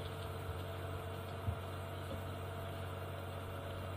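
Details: A low, steady idling engine hum with a soft thump, and no animal calls.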